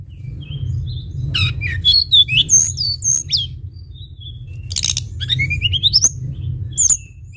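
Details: Sunda bush warbler singing actively for a lure track: rapid high chirps and slurred whistles, a scratchy burst, then a fast run of rising notes and a closing sharp whistle, over a constant low rumble.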